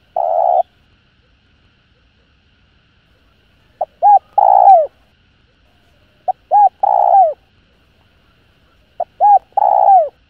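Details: Spotted dove coos to provoke other doves. Repeated phrases come roughly every two and a half seconds: a tiny pip, an arched hoot and a drawn-out, slightly rough note that slides downward. No other sounds.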